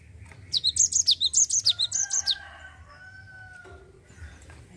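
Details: Java sparrow in 'ngerol' rolling song, used to coax untrained birds into singing: about a dozen quick high chipping notes over two seconds, then a long, even, lower whistle drawn out beneath faint background hum.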